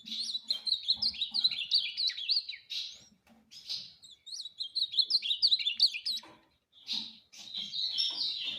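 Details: Ultramarine grosbeak (azulão) song: rapid run of bright warbled, slurred whistles, phrases repeated in bursts with short pauses, some soft low chirps beneath.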